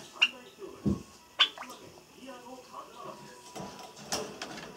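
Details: A Java sparrow gives sharp, bright chips, about three over five seconds and irregularly spaced, after its companion was carried away in its cage to another room, 4 May 2017; the owner suspects it is lonely. Soft indoor murmuring and faint voices between.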